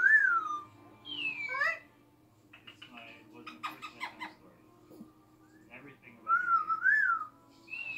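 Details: A pet budgerigar, recorded from a distance, gives clear, wavering whistles broken by a burst of fast, scratchy chatter.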